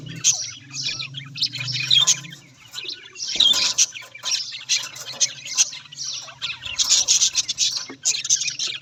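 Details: Budgerigar flock voices: a dense, buzzy chatter of overlapping chirps and warbles, with a brief burst of broadband noise near the middle and a low hum in the first seconds.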